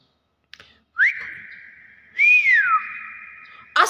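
Common hill myna giving clear, pure whistles: a quick upward sweep into a long level note, then an arched rise-and-fall whistle, ending with a short sharp click.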